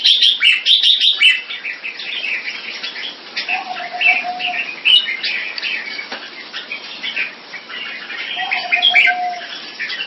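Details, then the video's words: Caged Red-whiskered bulbul competition bird from Singapore, displaying. Loud, quick chirping opens, then a long run of softer jumbled warbles, twice overlaid by a level, sustained whistle-like tone. "นกหัวจุก Jambul"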